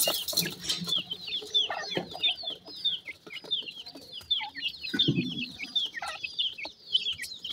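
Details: Mikado pheasant mother leading her chicks to feed in the sun; a busy stream of high, sharply descending cheeps from several young, with soft rustles and a short low thud.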